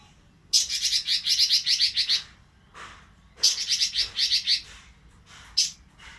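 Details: Oriental magpie-robin in breeding condition delivering loud, high, rapid phrases of repeated sharp chirping notes, two long runs of about one and a half seconds each, followed by a brief low note and a single loud chirp.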